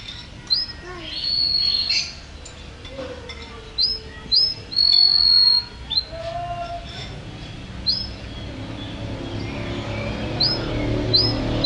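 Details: Champion canary singing: bright high whistled notes and short upslurred chirps in bursts, including a long steady whistle midway, with quieter lower slurred tones, over a constant noisy background hum.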